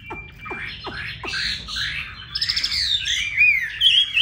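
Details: Chinese hwamei, caged, in Hà Nội: a thin steady tone and sharp downward clicks open into harsh buzzy phrases, then rapid trills and looping high whistles; low hum throughout.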